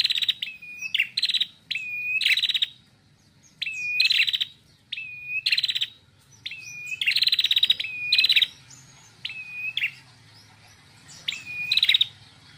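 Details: Red-headed prinia, female, loud and persistent: repeated phrases, each a clear level whistle, sometimes doubled, followed by a rapid pulsing trill. Around nine phrases come in quick succession over a faint low rumble.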